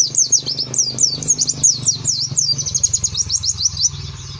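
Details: Caged Oriental white-eye giving its fine ngeriwik song: a rapid, unbroken string of high zigzag chirps and trills throughout, over a steady low electrical hum.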